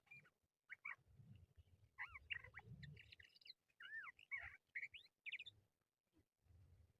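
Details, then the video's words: Sung phrases of a Crested lark, used when catching birds: varied whistled notes, some rising sharply, others looping down, delivered in an uneven stream over low rumbling background noise. "How to catch Crested lark Bird | Jal bird sound"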